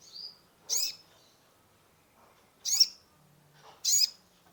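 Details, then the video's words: Sunbird (kolibri ninja) song for stimulating a stressed caged bird: a thin falling note, then three loud, very high chirps at irregular gaps of about one to two seconds. "Terapi pancingan konin gacor full isian mengatasi burung stress !!"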